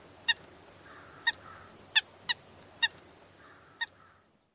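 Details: White-breasted nuthatch uttering six short, sharp nasal notes spaced about a second apart, irregularly timed, while faint high whistles and soft lower twitters from other birds sound in the background.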